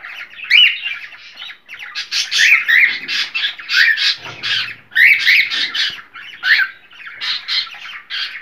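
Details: A cockatiel's sound meant to encourage mating: bursts of scratchy, chattering squawks and short whistled chirps repeated in clusters, with brief pauses between the phrases.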